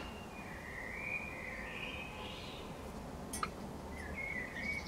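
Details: Common blackbird singing in April: a few smooth, clear whistled phrases in the middle register, one rising slightly then falling, with a short bright note near the end, over a steady low background rumble.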